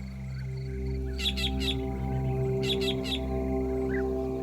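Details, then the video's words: In the Kalahari Desert, a drongo mimics a goshawk's call to scare meerkats off a meal: two bursts of three or four sharp, harsh notes over a steady, droning music score. "It's a Drongo pretending to be a goshawk in order to steal a meal."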